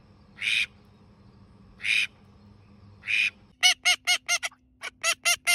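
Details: Pet ducks, a male and a female, call: three hoarse, breathy rasps about a second and a half apart, then a quick burst of loud, ringing quacks, several per second.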